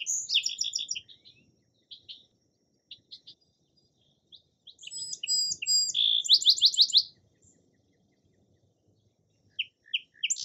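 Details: Song sparrow singing: bursts of rapid buzzy trills and sharp clipped notes separated by gaps of silence, with quieter scattered chips toward the end.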